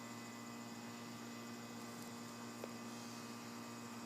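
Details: Steady electrical mains hum with no animal voice, only a faint click and a brief rising noise at the very end.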